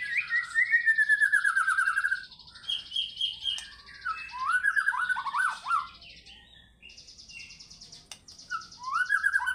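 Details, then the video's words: White-rumped shama in fighter-style singing, a varied run of phrases: a loud descending trilled series, sharp chips, rising and falling whistled notes and buzzy high strands, fading mid-clip before a final rising whistled trill. "MURAI BATU GACOR FIGHTER BONGKAR ISIAN"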